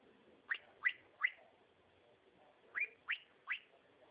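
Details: Two bursts of three sharp upward-sweeping whistles each from a cockatiel, notes about a third of a second apart, separated by a quiet gap.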